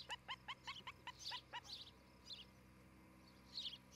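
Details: Osprey at its nest in Charlo, Montana, recorded by nest camera on 11 July 2018; a short quick string of thin chirping notes, then scattered higher squeaky sounds among quiet background.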